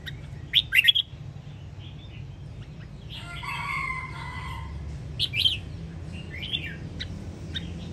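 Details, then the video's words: Red-whiskered bulbul from the Song Kon area of Quang Nam, recorded to train cage birds to copy its song: short loud chirpy bursts near the start and again midway, softer harmonic notes between, over a steady low hum. "Luyện giọng kích bổi Sông Kon học theo, ép giọng cực chất"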